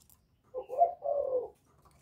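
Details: Spotted dove calling in the Thổ voice style to provoke wild rival males; a single phrase of low, hoarse cooing, a short note and then a longer falling coo, in a quiet room.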